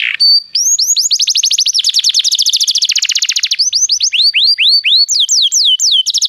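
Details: Canary song to get a canary singing: a long rolling trill of rapid descending notes, slowing into wider, slower swooping whistles toward the end.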